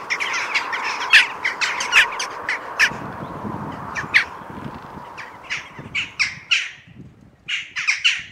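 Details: Jackdaws, Corvus monedula, calling loudly with rapid, harsh chak notes over a background of distant flock chatter and low rumble, the calls thinning into separate clipped bursts toward the end.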